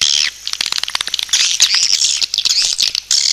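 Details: Lure call of swiftlets, rapid scratchy chirps layered over a steady stream of fast clicking, high-pitched and continuous with short pauses.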